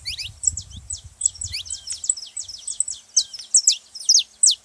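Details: Song of a saffron finch, used to encourage a reluctant canary to sing: rapid series of thin, high, sharply falling chips, becoming louder and more spaced toward the end, with low background rumble.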